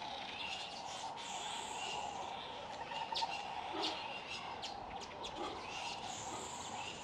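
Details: Red-billed wood hoopoes at the nest feeding chicks, giving scratchy chattering notes in loose bursts, with brief sharp clicks and a constant low droning background.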